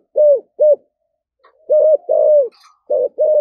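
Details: Spotted dove in the thổ sấm voice giving loud, rich coos in close succession, a stretched descending note among short rounded ones, with a brief faint high chirp in between.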